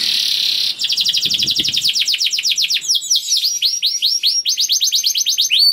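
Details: Young canary in full song, used to stimulate other canaries: an opening buzzy roll, then fast trills of descending notes shifting into sweeping downslurs, with varied rapid phrases.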